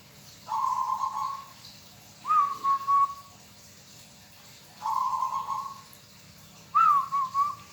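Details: Local zebra dove song alternating two phrases: a level purring trill about a second long, then a higher-starting coo broken into three quick pulses, each pair repeating twice in steady rhythm.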